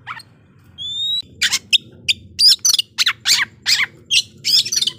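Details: Oriental magpie-robin singing a vigorous fighting song to provoke rivals: a clear rising whistle, then a steady run of loud, harsh, buzzy bursts, about a dozen in four seconds, over a low background hum.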